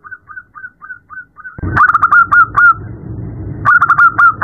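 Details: Soft evenly spaced coos from a female zebra dove calling a male at night, then louder, faster notes over a rumbling background.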